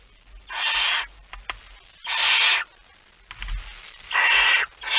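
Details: Dry, rasping hisses from a barn owl at the nest holding a mouse, 23 September 2019: three to four half-second bursts about a second and a half apart, with faint clicks and scuffles between.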